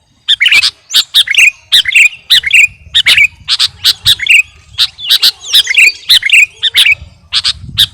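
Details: Kutilang garuda, a sooty-headed bulbul, singing to train caged birds: short squawky, bubbly phrases repeated in a steady beat, about two phrases per second, each with a bright twisting whistle.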